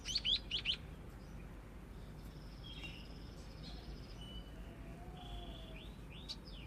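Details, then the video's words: Scaly-breasted munia learning to sing: a quick burst of four sharp chirps opens, then soft, thin drawn-out whistles and faint short notes follow over a steady low background rumble. "Burung pipit/emprit/peking jawa belajar ngoceh"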